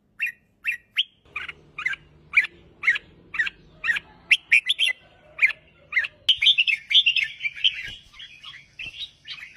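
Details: Red-whiskered bulbul in song, a steady string of short chirpy whistles about two per second, turning into a denser, more rapid warbling run near the end, faint low rumble behind.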